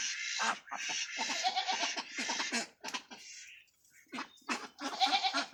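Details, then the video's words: Farm ducks on a duck farm quack in a harsh, nasal chorus of short overlapping bursts, several each second, with brief pauses between runs. "Duck Sound"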